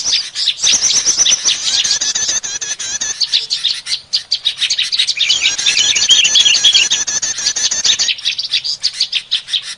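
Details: Prinia lure sound aimed at small birds: long stretches of fast, rhythmic high chattering and trills, broken by a few short quiet gaps, with busy overlapping notes.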